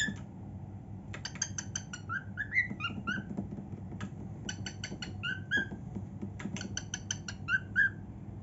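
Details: A female cockatiel, a pet, singing happily in her room: bursts of rapid clicking chatter alternate with clear whistled notes that rise and bend, in three similar phrases over about eight seconds, with a low hum in the background.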